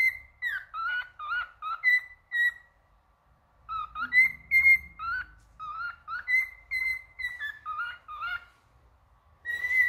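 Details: Male cockatiel sings a string of short whistles that fall and rise, about two each second. A silent stretch falls between two phrases, with soft low rumble in the background.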